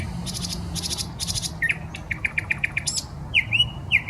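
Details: Nightingale song from a park on the Smolenka, Saint Petersburg: three fast buzzy trilled bursts, then a run of short repeated notes and two rising-falling whistles, over a faint low hum.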